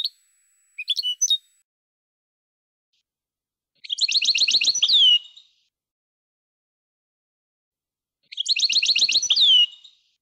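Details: Pet European goldfinch song: a brief high twitter, then two bursts of fast metallic trilling about four seconds apart, each finished with a falling slurred note.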